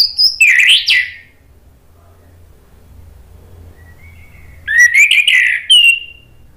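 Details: Orange-headed thrush song used as a lure to provoke rival birds into answering: two loud bursts of varied whistled and rasping phrases, descending then sliding, separated by about three seconds of near silence with low hum.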